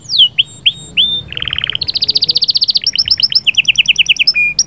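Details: Canary singing to stimulate a female: a few sharp downslurred whistles, then a dry buzzy rattle, then rapid repeated trilled notes in several quick series.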